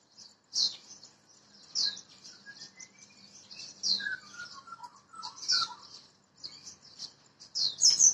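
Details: Wild-caught Oriental magpie-robin from Borneo sings faintly: high chirps recurring every second or so, with soft descending whistled notes in between.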